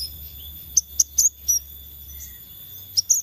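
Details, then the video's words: Scarlet minivet lure: a quick run of four high, clipped notes, a pause, then two more thin notes at the end, over a steady background tone. "Pancingan Sepah Raja Ekor Merah"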